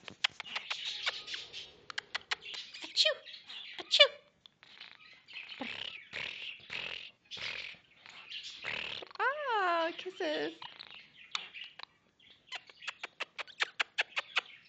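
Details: A pet male Goldie's lorikeet courting its owner's hand chatters in harsh, buzzy high bursts with swooping whistles, purring, sneezing and chicken-like clucking, says "What's this?" near the end, and ends in a quick run of sharp clicks.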